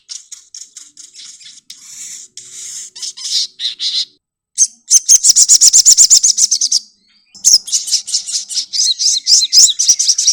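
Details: Sogokontong, kept as a pet songbird, giving a high, fast song. Buzzy chattering leads into bursts of rapidly repeated sharp notes, about four per second, broken by brief silences.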